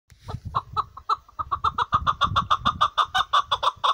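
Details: Chukar partridge, a hunting chakor, giving a fast series of clucking chuk notes that quicken and grow louder, some twenty in under four seconds, with low rumbling noise underneath.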